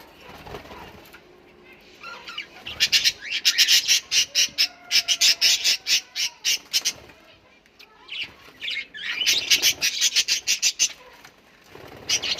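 Australian parrots give harsh, grating screeches in rapid runs, about one and a half per second, in two bursts with a brief lull between.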